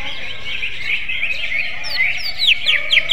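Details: A greater green leafbird delivers magpie-robin-style song, a steady patter of high chirps that builds into louder, rapidly falling whistled strokes near the end, over a low background rumble.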